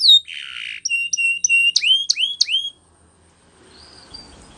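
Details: Spanish Timbrado canary song for training: a short buzzy burst, then spaced clear whistled notes and upward-sweeping chirps, each about three per second, before the bird falls silent with faint background noise.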